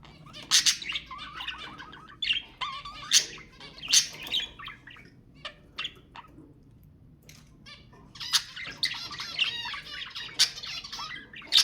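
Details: Budgerigar song to stimulate mating: bursts of buzzy, harmonic chatter and squawks separated by brief quieter gaps, a long dense rasping stretch near the end.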